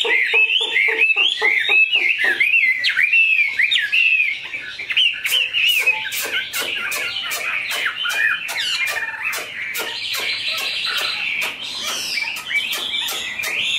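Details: Tame caged Chinese hwamei, big-bodied, pours out a varied warbling song with quick chattering bursts and whistled slurs, accompanied throughout by sharp clicking and tapping noises.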